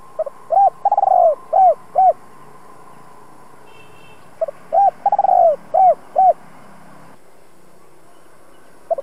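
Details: Spotted dove kept as a decoy to lure wild doves: two full cooing phrases, each with hooked coos, a stuttered roll into a long descending note and two short coos, then quiet with one last faint coo.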